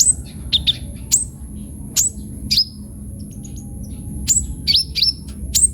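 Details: Kolibri ninja sunbird singing vigorously: scattered sharp, very high downslurred chirps at irregular intervals, with a brief trilled pair early on, over a constant thin high-pitched whine and low background rumble.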